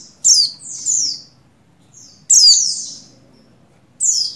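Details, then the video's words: Calls of a female buxtoni Oriental white-eye in breeding condition, summoning the male: paired high, steeply falling chirps roughly every two seconds, each note thin and sweeping downward, with soft gaps between. "Begini Call Burung Pleci Betina Birahi Memanggil Jantan"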